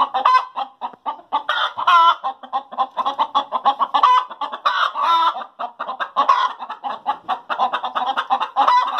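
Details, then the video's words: Several hens cackle after laying, a busy overlapping stream of quick clucks punctuated by louder stretched squawks every second or two. "Chickens Sound After Laying Eggs"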